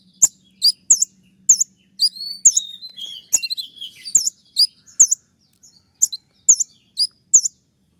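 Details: Konin delivering 'tembakan' bursts for training kept birds: crisp high hooked whistles repeated roughly every half second, broken midway by a warbling run of falling slurred notes.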